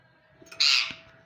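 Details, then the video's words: Rose-ringed (ringneck) parakeet, kept as a talking parrot, gives a single harsh, raspy screech of about a quarter second against a quiet background with a faint steady hum. "speaking parrot"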